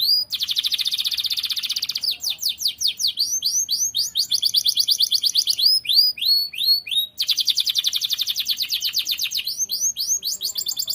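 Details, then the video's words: Energetic canary singing for other birds to learn from, chaining one high trill tour after another, some dense and buzzing, others made of clearer sweeping notes, with hardly a pause. "KENARI GACOR. MASTERAN BURUNG TERBAIK"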